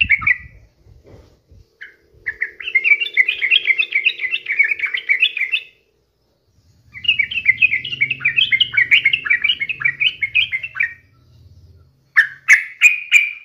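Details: Sooty-headed bulbul in lively full song, used as a daily lure to get other bulbuls singing often: two long runs of bright, bubbly chirping notes around four seconds each, separated by a silent gap, then sharp clipped notes at the end.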